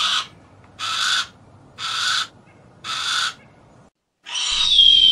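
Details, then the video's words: Four rough, buzzy screams of a Harris's hawk about one second apart, followed by a short silence and then a wash of broad noise carrying a faint high whistle. "Harris Hawk Noises"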